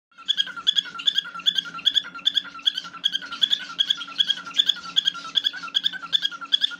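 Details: A tame cockatiel sings a fast run of bright, chirpy whistled notes, about two or three each second.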